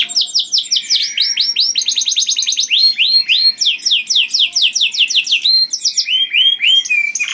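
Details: Loud, melodious canary song for luring other canaries, made of series of rapid rising slurred whistles repeated several per second, changing speed and pitch from phrase to phrase, clean with no background noise.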